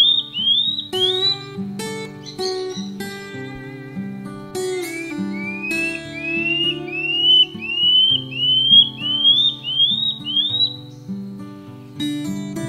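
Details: Common scale-backed antbird, an Amazonian antbird of shrubby forest understorey, sings about a dozen short, high whistled notes, each slurred upward, climbing gradually in pitch, over gentle guitar music.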